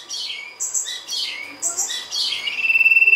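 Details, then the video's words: Sirtu lure song made of a run of sharp, high chirps and twitters in quick succession, closing with the start of a fast pulsed trill. "pancingan sirtu gacor"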